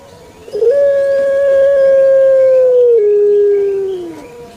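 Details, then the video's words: Puter pelung turtle dove kept in Java, Indonesia, delivering one long, thick coo: a single smooth low tone held for about three and a half seconds, stepping down slightly and fading at the end. "𝙋𝙐𝙏𝙀𝙍 𝙋𝙀𝙇𝙐𝙉𝙂 𝙎𝙐𝘼𝙍𝘼 𝘼𝙎𝙇𝙞 𝙋𝘼𝙉𝙅𝘼𝙉𝙂 𝙆𝙒𝙊𝙆 𝙏𝙀𝘽𝘼𝙇"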